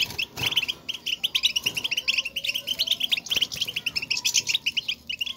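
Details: European goldfinches trading presence calls, a motivating chatter meant to make a lone caged goldfinch sing strongly: busy, liquid twittering of many quick high notes running almost without pause, with a few sharp clicks.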